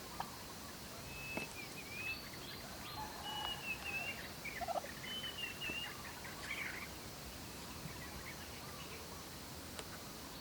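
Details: On a farm in the evening, domestic turkeys search for food, giving whistled, slurred calls that fall in pitch and repeat several times, with a burst of gobbling in the middle and a constant hiss behind.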